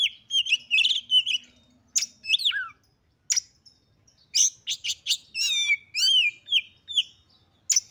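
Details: Female oriental magpie-robin used to provoke males into fighting: varied whistles and chirps in bursts, including falling slurred notes, with short silent gaps between phrases.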